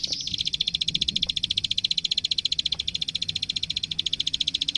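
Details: Energetic plain prinia (klik klik) song used as a tutor recording for young birds: one unbroken run of sharp, high clicking notes repeated very fast and evenly, with a soft low hum beneath.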